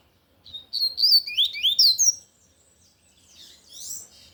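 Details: Loud song of a lined seedeater (coleiro de gola, tui tui): a fast burst of high, sharp, sliding whistles, some rising steeply, lasting about a second and a half, then quieter scratchy twittering trailing off.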